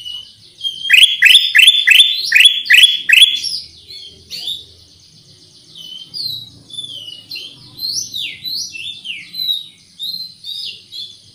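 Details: Black-crested Bulbul (Pycnonotus melanicterus) in a lure recording: a burst of about six loud, sharp, repeated chip notes, then softer slurred rising and falling whistles over faint low rumble.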